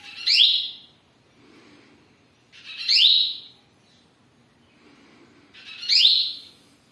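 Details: Captive male double-collared seedeater singing at home: short, high, sweet downslurred phrases repeated about every two and a half seconds, with quiet pauses between.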